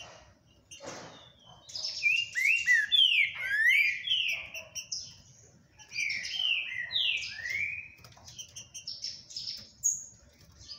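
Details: Green-winged saltator, called a very spirited and unbeatable bird, sings clear whistled slurred notes in two bursts separated by a short pause, the notes sliding down in pitch, over a quiet background with a brief knock near the start.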